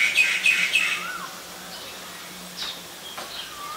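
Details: Ashy drongo (Dicrurus leucophaeus), in Ubon Ratchathani, Thailand, on 11 April 2022, giving three quick harsh chattering notes, then scattered whistled and slurred notes, with a faint steady hum underneath.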